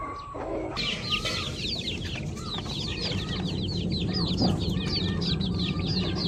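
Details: Busy chorus of pet chickens, new flock members included, with many high, curving peeps tumbling rapidly over each other above strong low-frequency background noise.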